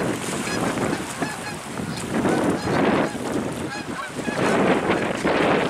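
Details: Flock of geese flying from the ocean to a ballfield to graze, then on to a pond in the woods, November 2022; many overlapping honks in irregular bursts, with wind and surf roaring behind.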